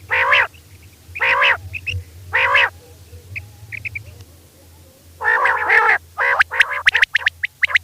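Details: Female rain quail (batair) at night, calling with harsh, buzzy, rasping bursts, three spaced about a second apart, then a quicker cluster of rough notes and sharp clicks; a low steady hum runs underneath.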